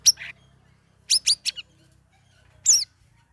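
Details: Lesser green leafbird kept in a cage, in week three of ombyokan training, giving ngeriwik ngeplong song: a sharp chirp, a rapid burst of three downslurred notes, then a loud squeaky flourish after a pause.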